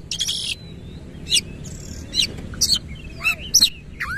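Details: Oriental magpie-robin with its tail opened, singing sparse 'nembak' shooting phrases: a buzzy opening note, then isolated sharp chips and short whistles spaced about half a second apart, ending on a clear rising whistle over soft background rumble.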